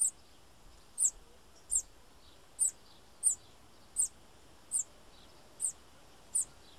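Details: Bananaquit giving a run of piercing, high-pitched short notes, each a quick downward flick, repeated roughly every half to one second, faint background hiss.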